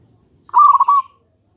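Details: Local zebra dove lure song for prompting other doves to answer: one short rolling phrase of fused cooing notes lasting about half a second, ending in a thin fading tail, otherwise quiet.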